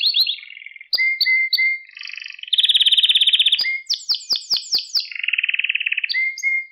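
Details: Canary singing for the training of young caged canaries: varied phrases of short repeated notes, a loud dense buzzy roll, quick descending sweeps and a lower rolling trill.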